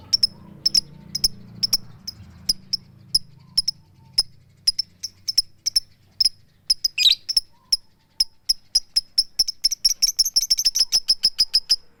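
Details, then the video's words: Female lovebird calling for a male with a "tik tik" call: sharp, high ticks at an uneven, steady pace that speed up into a rapid chattering run near the end, with a low hum in the background. "suara tik tik keyok Lovebird betina memanggil jantan"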